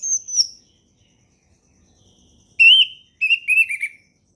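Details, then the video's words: Relaxed ngeplong singing of an orange-headed thrush, used to tutor young birds: a high thin whistle, a pause, then a strong sustained whistle followed by a quick series of descending slurred notes. "SUARA HUTAN ANIS MERAH NGEPLONG SANTAI"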